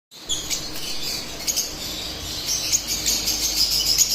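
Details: Split albino lovebirds giving a steady stream of high, squeaky chirps and twitters, denser and louder toward the end, over a constant background hiss.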